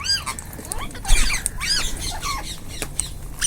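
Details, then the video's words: A group of rose-ringed parakeets eating together, giving overlapping harsh, arched squawks and chattering notes from several birds at once, with scattered bursts throughout and a low background rumble. "Ringneck parrots group //eating // natural sound"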